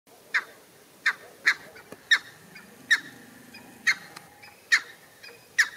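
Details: Cheer pheasant approaching the observers in the Nainital Himalaya, giving short, harsh, clipped notes at uneven intervals, about one every second, with a faint low rumble in the background.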